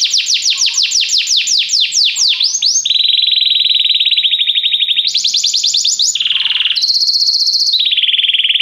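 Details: Canary singing a training song to make a canary sing: a quick swooping trill, a long steady rattling trill, then a high trill and buzzy notes.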